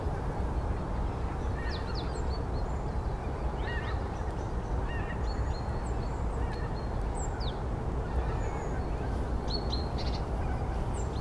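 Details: A flock of Greater white-fronted geese (Anser albifrons) at Öreg-tó lake, Tata, in the morning, preparing to fly out to feeding grounds, gives scattered, high, yelping calls from a distance over a steady low rumble of wind or traffic.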